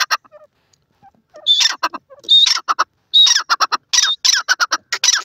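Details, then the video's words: Silver francolin calling: loud, harsh, squawky notes in ringing clusters, broken by short pauses and growing more insistent and rapid in the second half. "pheasants,teetar ke awaz,pheasant sound,teetar panchi ,silver francolin"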